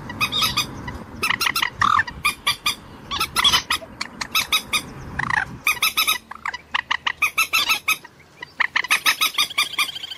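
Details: Common moorhen producing many loud, abrupt, harsh notes in irregular bursts, with some slightly drawn-out downslurred calls, over roughly ten seconds.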